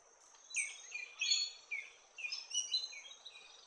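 Large-billed scrubwren giving a run of high, scratchy chattering notes in quick bursts, pausing briefly between phrases, over a faint steady background hiss.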